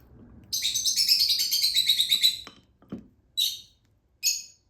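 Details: Baby lutino Fischer's lovebird being hand-fed: a dense run of rapid, high, buzzy chirps for about two seconds, then a couple of short separate chirp bursts, with faint handling clicks in between.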